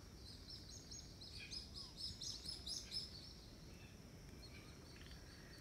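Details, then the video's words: Black-winged petrel on Phillip Island in the Norfolk Island group, January 2018. A brief burst of high, thin notes is rapidly repeated near the middle, set against a constant low rumbling background noise. "Black-winged Petrel (Pterodroma nigripennis)"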